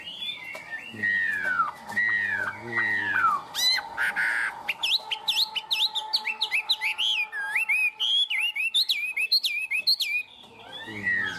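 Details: Tame caged Chinese hwamei in long high 'cao cầu' song: slurred downward whistles, then a rapid, varied sequence of sharp rising notes and twisting whistles delivered almost continuously.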